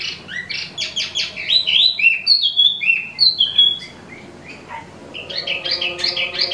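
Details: Lively song from an imported Wambi Mini (Tieu Mi): fast stuttered chirps, then loud, clear falling whistles, a short quiet spell, and a renewed burst of rapid notes.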